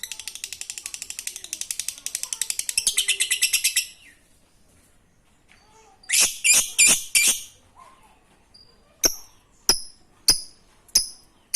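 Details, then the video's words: Lovebird giving 'ngekek receh' chatter to prompt quiet lovebirds: four seconds of fast, shrill pulsed notes, then a cluster of four harsh chirps and five separate sharp chirps. "Lovebird ngekek Receh Mantap Untuk Pancingan Lovebird malas bunyi"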